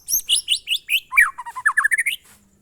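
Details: White-rumped shama, song style known as monotonous or glondong; a quick string of about twelve sharp chirped notes, high at first and then dropping lower, evenly spaced.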